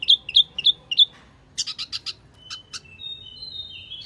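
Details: Bird-luring call of the Wambi mini: four sharp, repeated high chirps, then a cluster of quick buzzy notes, two lone ticks, and thin drawn-out whistles at the close.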